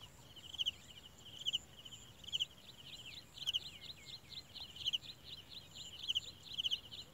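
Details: Parent olive-backed sunbirds feed a very small chick; repeated high double chirps quicken midway into a burst of rapid twittering, with a steady shrill hum behind.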